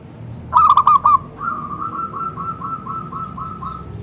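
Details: Local zebra dove calling to make other zebra doves answer: a loud, clear burst of four hooked, ringing coos, followed by a long even series of softer coos repeated about every quarter second.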